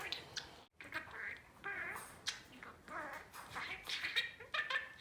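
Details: Male albino budgerigar, about four years old, chattering mimicked words: scratchy, rapid, word-like syllables in bursts, some warbling and others clipped, after a short silent break at the start.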